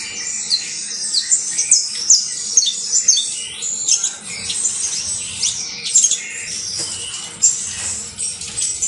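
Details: Canario basto criollo, or saffron finch, in sustained song: a dense, chattering stream of high chirps, trills and downslurred notes with hardly a pause.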